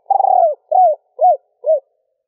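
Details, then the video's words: Female spotted dove calling to excite males in a stuttering three-ending coo: a long tremulous rolled coo followed by three evenly spaced, rounded, rising-and-falling coos. "Tiếng cu gáy mái gù gáy kích bổi nhanh gáy / Chim cu gáy mái 3 hậu gù cà lăm / cu mái kích bổi"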